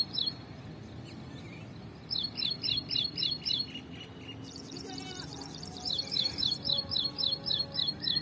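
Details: An ashy prinia sings in a tree: bursts of sharp, repeated high notes at about four per second, a steady rhythmic chip-chip-chip, with faint other birds behind; Ashy prinia song.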